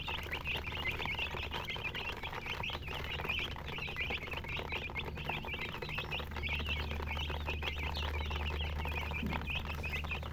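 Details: Young chickens in a crowded chorus of high, bright chirps repeated several times a second, with a low steady hum running beneath and light rustling.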